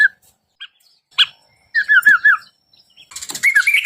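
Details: Yellow-vented bulbul singing to draw an answer: scattered single chirps, then a run of rich bubbling warbled notes, ending in a rising chattering trill.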